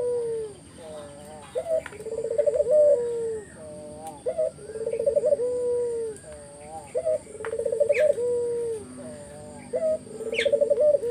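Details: Spotted dove singing vigorously in 'gacor' style as a lure to draw replies from other doves: repeated deep phrases of a short rising coo, a rolling trill and a drawn-out falling note, with occasional sharp high chirps from another bird.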